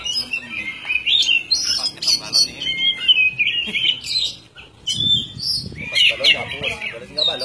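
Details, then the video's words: Oriental magpie-robin (kacer) singing energetically (gacor): a dense, continuous run of varied, sweet whistles and chattering notes, high-pitched and fast-changing, with a brief pause near the middle and some low rumbling background noise. "burung kacer gacor"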